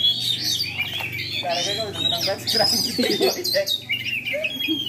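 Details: Tame Asian pied starling in full song on a Ramadan afternoon: a loud, continuous jumble of scratchy chatter, clear rising and falling whistles and squeaky notes, varied and unbroken, with steady low hum behind.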